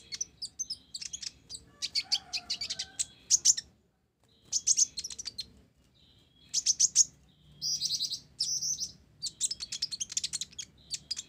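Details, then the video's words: Busy song of a mottled ninja sunbird carrying sparrow imitations: dense volleys of piercing chirps and trilled phrases, broken by short silences, sung loudly and almost continuously. "Kolibri Ninja Blorok Gacor isian Gereja"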